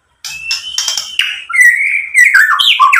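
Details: Lure song of a white-rumped shama meant to provoke other birds into singing, rich in filler material. Buzzy clicks under a long high whistle, then warbled, descending and rising whistled phrases.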